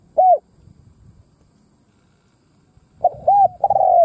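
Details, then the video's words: Spotted dove used as a lure bird, cooing to attract wild doves; one loud arched coo, a silent stretch with low rustling, then two hollow coos running into a long sustained coo. "Tiếng cu mồi đất gù gáy kích bổi"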